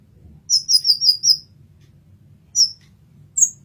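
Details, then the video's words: Kolibri ninja sunbird, recorded as tutor song for training songbirds: a fast series of five very high, sharp twittering notes, followed after a pause by two isolated thin chirps. "Kolibri Ninja Masteran"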